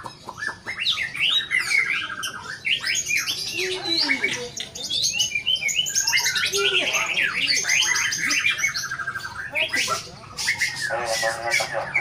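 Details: Wildly performing white-rumped shama delivers a long varied song: quick chirps, sweeping whistles and buzzy trills, ending in a dry rattling series of repeated notes.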